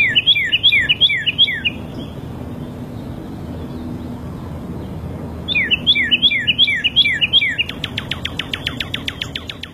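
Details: Northern cardinal singing free in the wild, giving two bursts of bright, quick slurred two-part notes repeated four or five times, then a fast run of short downslurred whistles over faint low background noise.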